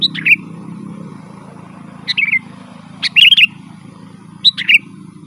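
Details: Sooty-headed bulbul, described as a lively gacor singer used to call wild birds in forest and to tutor caged bulbuls: short, bright warbled phrases spaced about a second apart over a steady low hum.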